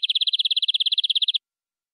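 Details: Local canary of forest origin delivering a tutor song: about twenty quick, evenly spaced trilled notes over nearly one and a half seconds, then stopping abruptly into silence.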